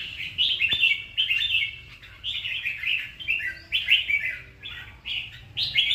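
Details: A red-whiskered bulbul sings a steady string of lively, chattering whistled phrases, about one burst every half second, bright and slightly buzzy, with a single sharp click early on and a quiet background hum.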